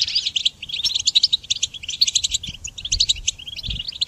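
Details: Rapid, high twittering goldfinch song for training other songbirds: clipped chirps and tinkling notes run together in a lively, unbroken chatter over a faint low hum.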